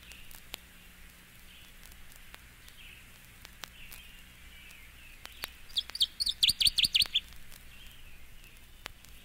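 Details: Northern Waterthrush song: after several quiet seconds of soft hiss, a loud burst of about a dozen sharp, ringing, high notes, rapid and slightly quickening, lasting roughly one and a half seconds.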